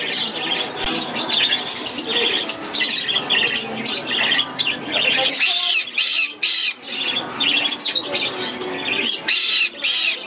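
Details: Hand-fed baby black-headed caique kept in a shop, recorded 15 May 2011, giving dense, continuous, grating squawks with short pauses, mixed with background voices and indoor noise.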